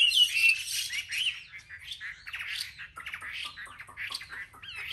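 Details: Competitive song of a caged Chinese hwamei from a market group: a bright high warble at first, then quieter, choppy phrases of short rising and falling notes with harsher chirps mixed in.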